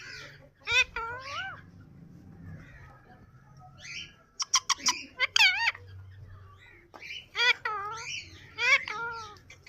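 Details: Pet yellow ring-necked parrot giving bright, bending whistled notes in short bursts, some sliding up and down, with quiet gaps between phrases and low background hum.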